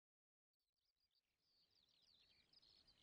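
A Whinchat sings a quick, scratchy, warbling phrase of high chattering notes after a brief silence, over a steady hiss of outdoor background noise.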